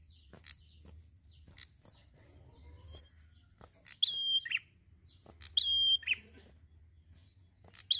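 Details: Prinia in easygoing song: soft scattered ticks at first, then two clear phrases of a high chip, a held level whistle and a lower buzz, with a third phrase starting at the end.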